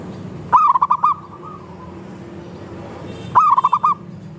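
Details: Local and Bangkok zebra doves in a group recording meant to get other doves singing. Two bright, stuttering coo phrases of five or six quick pulses each sound about three seconds apart, with a faint tail of softer cooing.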